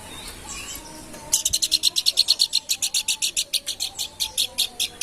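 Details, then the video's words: Babbler (planduk bukit) singing energetically: after a quiet start, a long rapid series of crisp, high, evenly spaced chipping notes, roughly six per second, continuing without pause for nearly four seconds. "kicau planduk bukit gacor"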